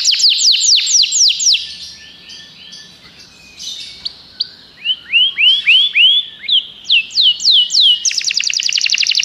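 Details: Common canary in full song: quick descending whistled strokes, a quieter mixed passage, then loud rising swept whistles repeated several times and a closing buzzy trill.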